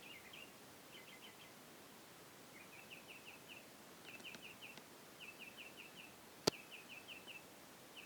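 A mockingbird repeats short, high chirps in quick bursts of three or four, each burst about a second apart, like cricket sounds. One sharp click sounds midway over faint background hiss.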